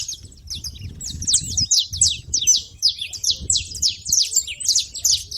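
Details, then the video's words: Noisy saffron finches at a feeder giving a steady stream of sharp, high, descending chirps, several birds calling over one another, above a soft low background rumble. "canário da terra fazendo barulho na seva"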